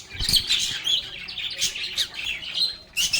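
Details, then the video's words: A group of lovebirds (agapornis) singing, playing and talking: a dense, continuous mass of bright chirps and squeaks rising and falling in quick bursts, with a loud burst at the end. "Lovebirds agapornis sounds | Relaxing Sounds of Singing, Playing, and Talking Parakeets"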